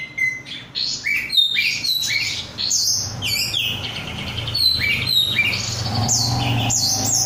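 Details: Kept oriental magpie-robin (kacer), an untrained 'bahan' bird known as 'rudal korea', singing actively: rapid varied whistled notes, many slurred rising and falling phrases, some buzzy, over a low steady hum.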